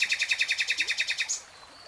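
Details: Short burst of common nightingale song: a dozen quick, evenly spaced chirping notes that end in a brief high flourish, then silence.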